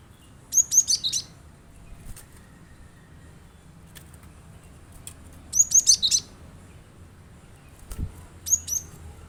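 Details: Cinereous tit song used to prompt kept birds to sing along: three short bursts of rapid, thin, very high whistled notes, each about half a second long, repeated about every four seconds, with soft clicks and a quiet background.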